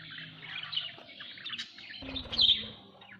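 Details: Budgerigars at home: busy warbling chatter with quick chirps, growing louder to a sharp squeaky peak near the end.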